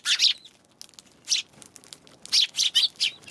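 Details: On 11 January a Eurasian tree sparrow gives a brief chirp burst, a lone note, then a quick run of three or four harsh chirps.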